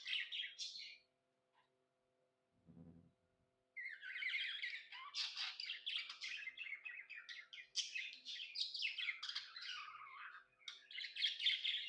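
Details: Pet budgerigar chirping happily indoors: rapid, dense run of scratchy warbled chirps and chatter, starting after a brief gap with a short low thump, then continuous busy twittering to the end.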